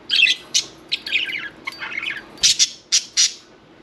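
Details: Pet budgerigars, one taking a bath, give bursts of bright, scratchy chirps and squawks in short clusters, with brief pauses between quick chattering phrases.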